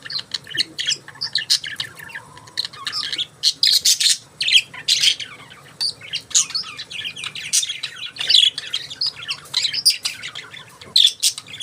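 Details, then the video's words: Budgerigars chirping nonstop, a dense stream of high warbles, squeaks and harsh squawks overlapping throughout. "Budgies Chirping Sounds"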